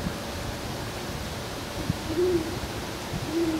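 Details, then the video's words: A male Great Horned Owl in Forest Park, St. Louis, Missouri, on 26 November 2012 gives two deep, soft hoots about a second apart after grooming and stretching; his mate replies in the background after the first; steady hiss. "Great Horned Owl Grooms, Stretches and Hoots"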